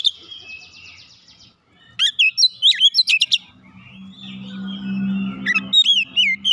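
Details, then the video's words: Oriental magpie-robin singing as a lure to prompt other birds to sing. A buzzy trill, then a rapid burst of sharp whistled notes. A steady low hum runs through the middle before more looping whistles. "PANCINGAN Kacer makin bunyi makin gacor tiap hari"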